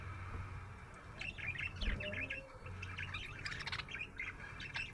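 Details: Happy budgie chirping: rapid, repeated trills and chatter, joined by a low murmur and a steady background hum.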